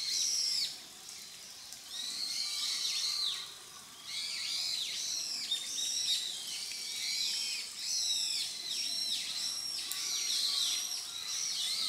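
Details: Grey wagtail, recorded July to December 2023, delivering rapid strings of sharp, high, down-slurred chirps in several lively bursts, separated by brief pauses, with a faint steady hiss behind.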